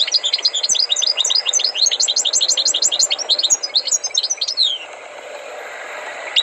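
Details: Tutored goldfinch from North Africa pouring out rapid, ringing, high-pitched trills for about four and a half seconds, then a quieter stretch with faint background sound.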